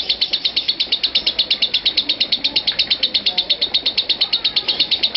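A lovebird gives a long, unbroken chatter of shrill, high notes, repeated several times a second at a steady pace with no pauses.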